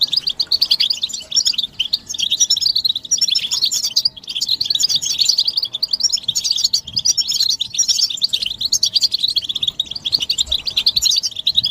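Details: Massed European goldfinch twittering, said to carry mating and readiness calls that make a male sing nonstop: long run of bright, rippling chirps and trills, briefly thinning near four seconds, over a faint hum.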